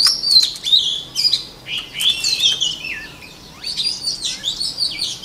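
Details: Song of a white-rumped shama, used for voice training: bright whistled phrases with quick downslurs and trills, delivered in rapid bursts with a brief lull in the middle before the singing resumes.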